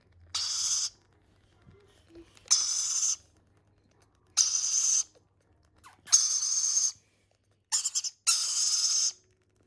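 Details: Hand-fed lorikeet chicks give harsh, hissing rasps, each about half a second long, repeated roughly every one and a half seconds, with quiet pauses between.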